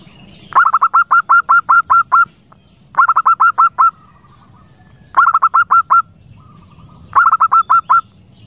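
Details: Zebra dove call for luring and breeding stimulation, local Lampung bird: four bright phrases of quick repeated coos, the first longest with about nine notes, then shorter runs, with faint short tones between phrases.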